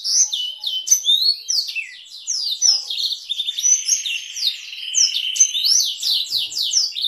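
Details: Canary with Blackthroat roll variations, a tutor song for canaries and shamas; rapid staccato chirps over a long sustained buzzy roll in the middle, then dense high twitters.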